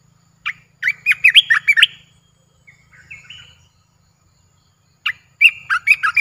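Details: Captive streak-eared bulbul in Thailand. It gives a burst of rapid, bubbly, chattering song notes, then a softer rising whistle, a pause, and another quick bubbly phrase. A low hum runs underneath.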